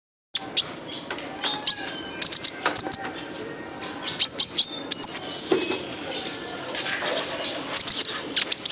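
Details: Male kolibri ninja sunbird on a training recording for cage birds, meant to make it sing freely; very high, thin chips and short twittering bursts come in clusters, with quieter background chatter between them.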